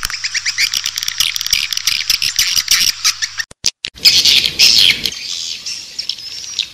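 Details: Lure call for edible-nest swiftlets, played to attract birds to a swiftlet house: shrill, rapid twittering chatter with buzzy high notes, a brief cut of silence mid-way, then a loud burst of squeaky trills fading to softer chirps.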